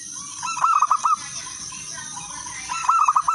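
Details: Zebra dove of local wild stock in full song, a lure call for other doves: two bright phrases of rapid, rolling coo notes with quieter murmuring coos in between, over a constant shrill background hum.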